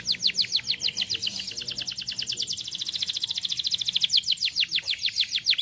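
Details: A canary sings to prompt quiet canaries to sing: a fast, unbroken series of high, sharply down-slurred notes, roughly three or four per second, bright and ringing throughout.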